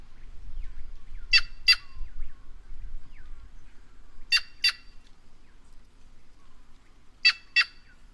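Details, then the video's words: Cyanocorax cyanopogon, the white-naped jay, repeats a doubled harsh squawk three times, roughly every three seconds. Each note is raspy and broadband. Faint low rumble and a few soft chirps sit underneath. "Canto da Gralha Cancã Cyanocorax Cyanopogon"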